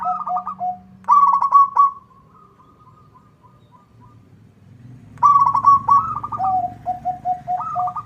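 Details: Local zebra dove in lively song aimed at drawing a rival's reply: short higher and lower coos, a quavering trilled coo trailing into soft level notes, a pause, then another trill and a run of clipped lower coos. A low rumbling hum underlies it.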